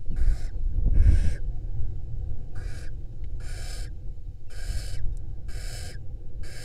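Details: Female barn owl on an Israeli nest camera with a pair raising nestlings in May 2022; seven short, dry hissing bursts at an uneven pace, plus one brief low thump near the start and steady low rumble.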